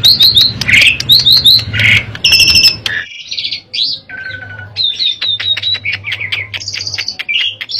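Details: Asian pied starling in lively full song, used as a lure to prompt other starlings to sing; bright varied whistles, quick chirped triplets, buzzy notes and a low steady hum beneath, with a brief pause midway.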